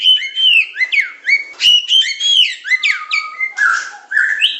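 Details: Medan-type white-rumped shama in tutor song of pancingan, macet, tembakan and isian styles. Clear downslurred whistles repeat about twice a second, ending with a rasping note and an upward whistle.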